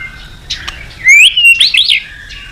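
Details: White-rumped shama song used as a therapy recording to stir other birds into singing: a short burst of bright, sweeping whistled notes, rising and falling, after a quiet start with faint chirps.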